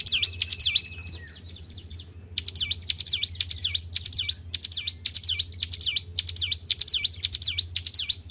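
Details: Hill prinia singing strongly under careful keeping. Two quick V-shaped notes and a short level trill lead into a pause of about a second, then a long, rhythmic series of sharp, high, dipping notes.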